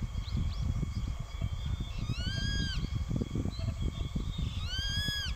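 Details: Juvenile Grey-faced Buzzard perched in line with an adult, calling insistently at it: two loud, clear, arched whistled calls with rich harmonics, each rising and then falling, about two seconds apart, over steady wind rumble.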